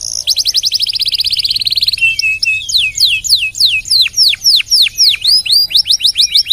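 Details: Canary singing a long tutoring song for other songbirds: a fast buzzy trill of tightly packed high notes for two seconds, then a string of loud descending whistles repeated steadily around three to four per second.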